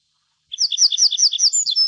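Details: Little bunting (Emberiza pusilla) gives a crisp, loud run of about seven identical ringing two-part notes repeated rapidly at an even pace, capped by a thin higher note.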